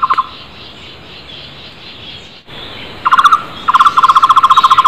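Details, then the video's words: Loud wild flame-fronted barbet call: a few quick hollow notes open, a quiet stretch with faint birds, then a short burst and a long fast series of repeated low notes, with clicking sounds overhead. "Takur tohtor gacor keras di alam bebas"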